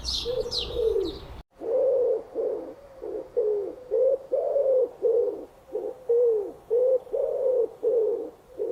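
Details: Pigeon group call: a steady series of low, muffled rolling coos, each about half a second long and following one another closely. A brief burst of higher chirping from another bird comes before the coos begin.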